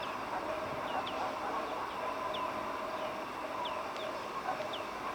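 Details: Greater painted-snipe parent with recently hatched chicks that rush to hide under the parent's body; thin, short down-slurred peeps repeated irregularly, roughly every half second to second, over steady wind and a low distant rumble.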